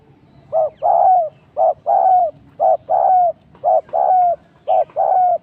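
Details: Decoy spotted dove calling while used for trapping, giving five steady two-part phrases about once a second, each a brief soft hoot then a longer, slightly falling coo, low and hollow over quiet surroundings.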